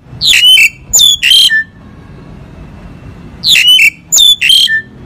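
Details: Crested myna (jalak Hongkong) calling in two groups of three loud, harsh squeaky notes, each ending in a falling whistle, separated by about two seconds of quiet background.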